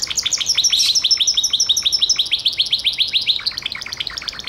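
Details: A Gloster canary delivers a continuous, fast warbling trill of high chirped notes, loud at first and gradually fading toward the end.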